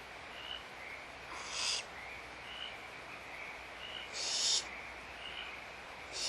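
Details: Feeding time in a barn owl nest at Audubon Starr Ranch Sanctuary brings three noisy hissing screeches at irregular intervals, interspersed with soft, short high-pitched chirps.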